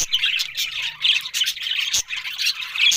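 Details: Several budgerigars chattering together, a dense stream of scratchy warbles, clicks and short squawks with little pause, busy and overlapping throughout.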